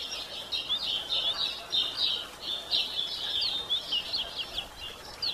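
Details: Female Yellow-bellied Seedeater calling to stir up males: a rapid, continuous stream of thin, high chirps and short twittering slurs, some rising and some falling, running without pause over light background noise.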